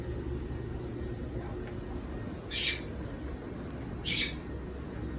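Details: An Indian ringneck parakeet at lunch time gives two short, harsh, high screeches about a second and a half apart over a low indoor rumble.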